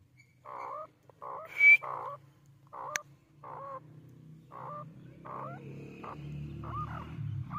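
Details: A black francolin in Rajasthan, India, gives a run of harsh, grating notes in quick succession, about two a second, over a steady low hum and background rumble.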